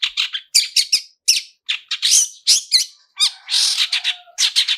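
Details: Long-tailed shrike 'toet toet' song with rich fill-ins, used as a lure to get birds singing: harsh squawky bursts alternate with bright chirps, then a longer rasping note and a quick finish.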